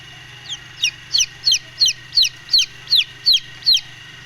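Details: Golden Misri chicks, a chicken breed, brooding, giving high, clear peeps that slide downward. About nine peeps come at a steady pace of roughly three per second over a low constant hum.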